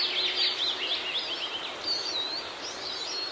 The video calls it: Siskin ~ Eurasian Siskin Bird Call